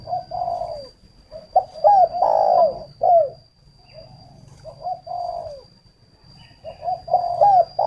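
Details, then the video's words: Three cooing phrases from a spotted dove kept as a lure decoy in northern Vietnam. Each phrase is a couple of short low notes, then a hooked note and a long, loud, downward-bending coo, separated by quiet gaps. A steady high whine is also present. "cu gáy hay"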